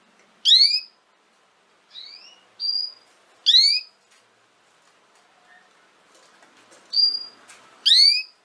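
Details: Canary notes for teaching young canaries to sing: bright rising sweeps repeated roughly every one to three seconds, alternating with thinner level whistles, over a faint background.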